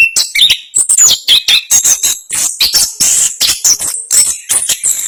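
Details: Orange-headed thrush, national contest champion, delivering speedy dense 'ngerol' song, a steady pulse of short shrill phrases and thin high whistles repeated several times per second.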